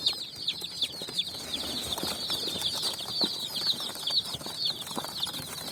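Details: Dyed chicks foraging on sand in evening sunshine: a constant chorus of shrill, fast chirps from many birds, with occasional soft taps and rustles in the background.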